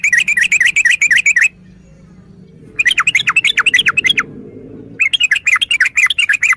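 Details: Yellow-vented bulbul (trucukan) chattering in three energetic bursts of rapid, tightly packed warbled notes separated by short pauses, over a faint low background hum.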